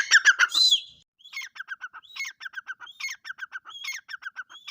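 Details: A partridge (teetar) opens with a few loud rasping notes, then keeps up a choppy run of short harsh notes and upslurred whistles, several per second.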